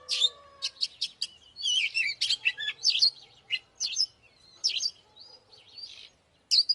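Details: Oriental magpie-robin singing to stimulate fighting. Varied whistled phrases and slurred notes come in separated bursts, with a few soft lower tones at the start and quiet gaps between phrases.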